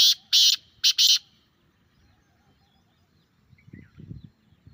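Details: Grey francolin calling, used to make a captive teetar sing back: four loud, harsh, ringing notes packed into about a second, followed by quiet and low muffled rustling.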